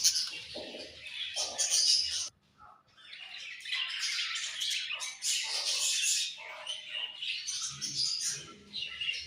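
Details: Beautiful colorful budgies give loud squawky chirps and warbling chatter, pause abruptly for a moment, then resume with a full, continuous high twittering chorus.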